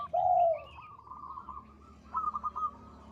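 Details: Local zebra dove in full voice: a loud, drawn-out low coo sliding slightly downward, a quieter wavering trill, then a short burst of quick rolling notes.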